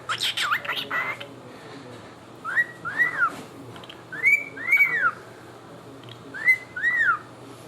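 A cockatiel gives paired, clear rising-and-falling whistles, repeated about every two seconds.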